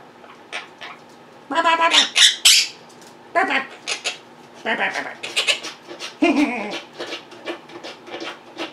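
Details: Monk parakeets kept at home, vocal and mimicking, produce a long jumble of grating squawks, clicks and speech-like chatter, with busy overlapping bursts after a pause.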